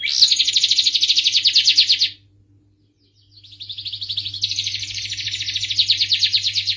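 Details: Starblue canary song: a fast, dense high trill for two seconds, a short silence, then the song resumes as a rolling trill building in loudness.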